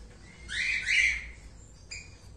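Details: Indian ringneck parakeet from a new breeding pair, turquoise-blue male with albino female, uttering one loud grating screech followed by a brief thin squeak.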